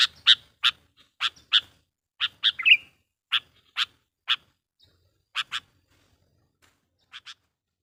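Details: Sooty-headed bulbul (kutilang) used as a lure bird, its persistent 'pikat' sound meant to rile and call in wild bulbuls: sharp, broad chirps, often in quick pairs, spaced irregularly across about eight seconds with faint low background rumble.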